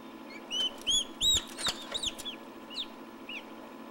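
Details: Turkey chicks hatching in an incubator in 2006, giving arched peeps mixed with tapping and knocking sounds, over an even background hum.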